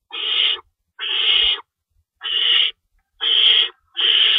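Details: Nest-box owls at feeding time, 3:53 AM on March 25, 2012, with rabbit prey being torn up for the young; five drawn-out, breathy screeches, the longer ones lasting over half a second, spaced by short gaps.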